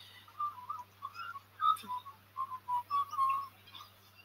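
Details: Magpie singing off camera while baby pukekos are filmed: a run of fluty, warbled whistled notes in short bursts, about ten phrases within four seconds, over a faint steady low hum.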